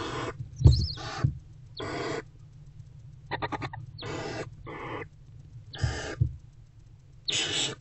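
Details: Barn owl mother and older owlet bonding in a nest box, 20 February 2024, before dawn around 4:40 am; a series of harsh, noisy hissing screeches, each about half a second long, separated by short pauses, with a low background hum.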